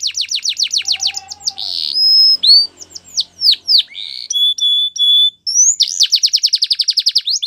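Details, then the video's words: Fast trills of descending notes open this male canary song, followed by held whistles, swoops, clipped repeated tones and a final rapid trill. "Canary Sounds Male | The Best Canary Singing"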